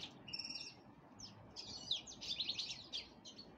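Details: Black-headed canary of the nominate race, getting ready to breed, gives a pair of stacked whistled notes, then a brisk jumble of high twittering phrases that run together over about two seconds.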